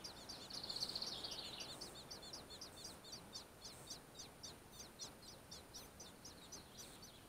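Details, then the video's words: At a riverside nest in June 2015, a fieldfare gives a loud rasping, buzzy burst early on, followed by evenly repeated short high chips, roughly four per second, across a quiet hissing background. "Дрозд рябинник ГНЕЗДО"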